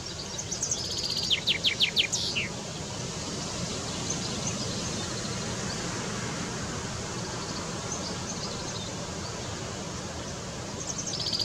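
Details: A male common chaffinch (Fringilla coelebs) calls: a quick burst of bright, high, falling notes with a brief repeat at the end, over steady wind-like rushing noise.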